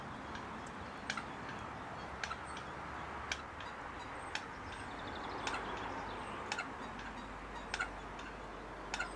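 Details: A coot feeding on a farm lake clucks: short, sharp ticks, about one a second, over a soft background hiss.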